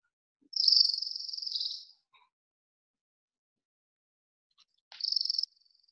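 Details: Orange-crowned Warbler singing in spring on Protection Island: a long, very fast, high trill that sags slightly at the end, followed by a shorter second trill after a pause.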